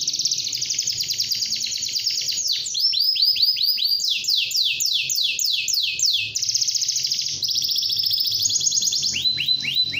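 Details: Morning canary song used to prompt other canaries to sing: continuous high rolling trills, then a series of repeated downward-sweeping notes, a steady buzzy trill, and more falling sweeps at the end.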